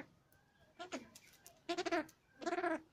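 Cabot's tragopan giving a short faint note, then two nasal, wavering, bleat-like calls under a second apart, each lasting about a third of a second.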